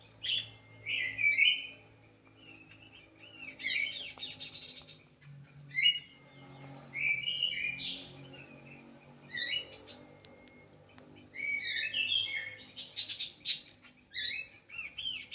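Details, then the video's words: Song of the kidangan kaso kaso from an aviary in Indonesia: varied whistled and warbled phrases, some sliding, others buzzy, come in bursts separated by brief pauses, growing denser and busier toward the end. "BURUNG KIDANGAN KASO KASO"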